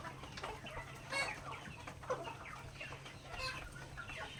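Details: Native backyard chickens at feeding time, pecking grains; soft, low clucks and short murmurs from several birds overlap throughout, with faint clicks of pecking and a steady low hum underneath.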